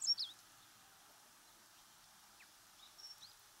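Meadow Bunting: a quick pair of thin, high, sharp notes at the start, then a few fainter high ticks near the end, over a steady background hiss.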